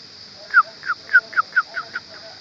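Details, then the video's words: Sooty-headed bulbul at a nest found while searching for nests, giving a quick run of seven short, bright, downward-slurred whistled notes, evenly spaced about a quarter second apart over quiet background hiss. "Burung Trucuk Gacor"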